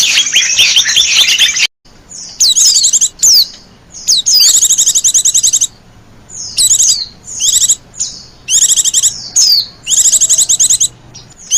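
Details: Lure sound for attracting wild white-eyes: an opening burst of crowded high twittering, then short bursts of rapid, sharp, high chirps with falling slurred notes, repeated roughly every second with brief silences between.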